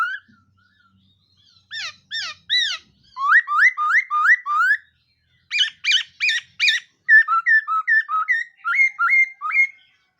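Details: Black-throated laughingthrush in full morning song to train its voice: fast runs of short, hooked whistled notes repeated about two or three per second, changing between falling, rising and sharper, higher motifs.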